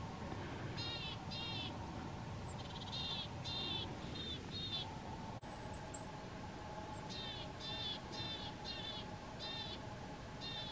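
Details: Marsh or willow tit at a winter feeder, 31 January 2022, singing loudly: bursts of quick repeated nasal, harmonic notes in runs of three to five, a faint thin whistle midway, over continuous low hum.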